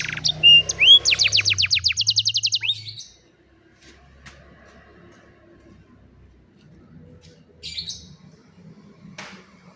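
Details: ['Old canary singing in the afternoon: about three seconds of fast repeated sweeping trills and whistled notes, then near quiet with a few faint chirps.']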